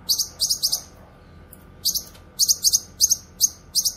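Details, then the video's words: Cucak kinoy song, meant for training and luring wild birds: rapid bursts of bright high chirps in twos and threes, a short pause, then a quicker run of paired chirps. "Masteran suara burung CUCAK KINOY gacor cocok untuk masteran dan pikat"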